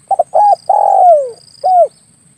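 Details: Spotted dove (tekukur) calling as a lure for hunters with air rifles; two clipped opening notes, a held coo, a long falling coo and a short final coo in one tight phrase, with faint steady high-pitched buzz.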